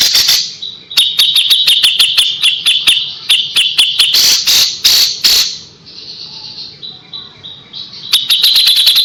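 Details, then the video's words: Kapas tembak song with sharp 'tembakan' shots and 'besetan' phrases, used as a tutor recording for young white-rumped shamas: rapid bursts of sharp, clicking notes with short high whistled phrases, two pauses of near quiet between the bursts. "KAPAS TEMBAK GACOR JEDA RAPET"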